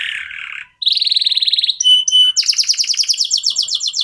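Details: Local canary singing to prompt other birds: a low buzzy note, then a fast pulsing trill, a pair of short whistles, and a rapid run of repeated chirps.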